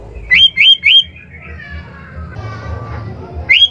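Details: Sooty-headed bulbul singing, recorded for training caged birds: three clear rising whistled notes in quick succession, a soft murmuring gap with faint low hum, then one more rising whistle.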